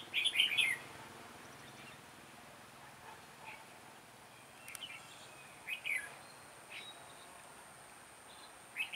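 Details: Red-whiskered bulbul singing in a sharp, lively giọng đanh lăng xăng style during trapping: a loud warbled burst opens, then brief quieter phrases every couple of seconds over steady hiss.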